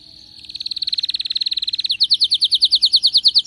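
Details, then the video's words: Canary in excited song, a quick rising-volume trill of repeated notes followed by loud, regular downward-sweeping notes about five per second. "غناء كناري هايج ومولللعCanario -canary"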